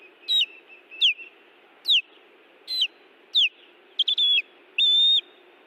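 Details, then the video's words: Nesting ospreys at Hellgate Canyon in Missoula, Montana, call while defending the nest on June 18, 2017: loud, high, downslurred whistles repeated roughly once a second, ending in steadier, drawn-out whistled notes. "Sounds of Iris and Louis Defending The Nest"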